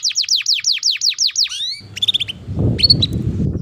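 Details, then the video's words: Long canary song meant for training other canaries: a series of steep falling whistled notes repeated about six times a second, followed by short rising chirps and a few sharp high notes, with background rumble. "Pancingan Burung KENARI Gacor Panjang || Masteran Kenari Paud"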